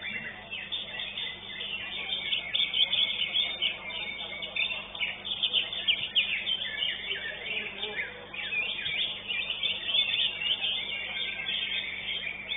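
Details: Greater green leafbird, first-place winner at a songbird contest, singing a fast, dense run of bright chirps and trills, about three notes a second, over crowd chatter and other birds.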